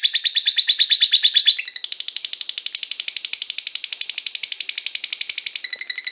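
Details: Lovebird ngekek chattering, recorded for luring lovebirds into song: a rapid, harsh, high trill that changes tone after about a second and a half, then runs on without pause.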